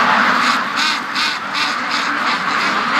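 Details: Free-range domestic ducks from a flock of over 650 hurrying to or from a lake on their daily run; a crowded quacking chorus with loud bursts pulsing roughly three times a second over a steady din.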